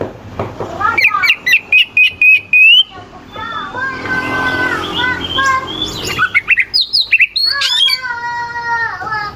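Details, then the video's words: Oriental magpie-robin song with harsh, rapid phrases meant to provoke rival magpie-robins. A fast series of clipped notes gives way to a lower, harmonic warbling passage, then more quick whistles and steady tones. "Suara kacer gacor NGEPLAY KONSLET pancingan kacer ampuh bikin lawan ikut EMOSI"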